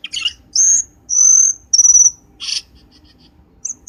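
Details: Lure call of Black-winged starling used by trappers, with harsh chattering bursts alternating with long, loud, high flat whistles, then a few soft quiet chips.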